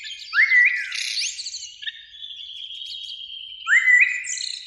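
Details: Springtime Eurasian blackbird song from a beech tree beside a lake, evening: two rich rising fluty phrases frame a long thin high note and scratchy twitters.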